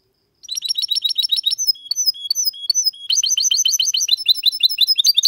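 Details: Goldfinch x canary hybrid with a clean song for prompting males to sing and chicks to learn: a fast run of repeated buzzy chirps, a few slurred whistles, then another brisk series of rhythmic twittered notes.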